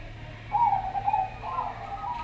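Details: Zebra dove, a local perkutut with a slow, calm voice, recorded alongside a Javan barred dove as a lure to make doves call, gives soft, mellow cooing, a few drawn-out hoots over a faint low hum.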